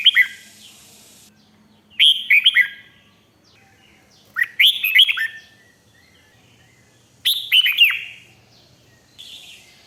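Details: Red-whiskered bulbul singing 'rik' style to make other birds lively: bubbly, cheerful phrases of quick falling whistles, four bursts spaced about two to three seconds apart, with a faint low hum in the background.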